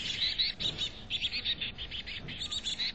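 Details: Chickadee at a nest box in North Vancouver: dense, high, thin chirps overlapping one another in quick, steady runs throughout, with only a faint low background hum.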